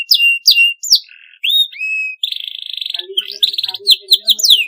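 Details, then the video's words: Canary singing a varied clean song: high slurred whistles, a short buzzy trill, then a mix of rapid chirps and sweeping notes. "MASTERAN KENARI SUARA BERSIH PANJANG GACOR PAGI SIANG MALAM"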